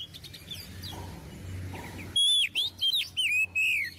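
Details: Oriental magpie-robin, a kept bird recorded as a tutor song for young birds, singing loud clear whistled notes, some sweeping up and some sliding down, after a stretch of faint distant chirps over low background hum.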